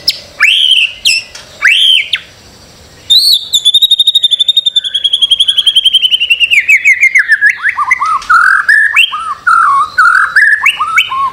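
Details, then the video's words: White-rumped shama song used as a master recording to prompt birds to sing: clear whistled notes, then a long rapid trill held steady and slowly falling, ending in varied looping whistles. "Masteran murai batu. Di jamin langsung rajin bunyi"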